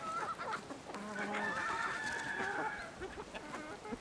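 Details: Chicken in a village setting, a drawn-out wavering cackle rising and falling across several seconds, with lower clucks beneath and faint ambient rustle.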